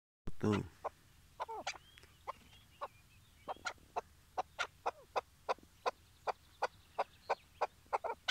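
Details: Chukar partridge kept tethered as a decoy for trap hunting in Şırnak, Turkey, calling before the hunt: a run of sharp, clucking notes repeated roughly every third of a second after a loud opening thump.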